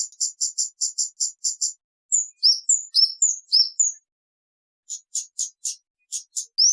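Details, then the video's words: Kemade song used for luring and tutoring birds: a rapid, evenly spaced run of high chirps, then varied slurred whistled notes, then more quick high chips, very clear with no background noise. "Suara Burung kemade gacor jernih"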